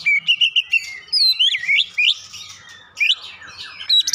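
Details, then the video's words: Oriental magpie-robin with Java sparrow imitation, quick repeated chirps followed by rising swept whistles and a few scratchy notes. "kicauan Kacer isian gelatik batu"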